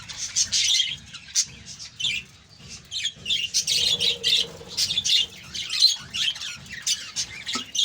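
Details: Many budgerigars in a colony chattering with high squawky chirps and warbles in irregular clusters, a faint low hum underneath.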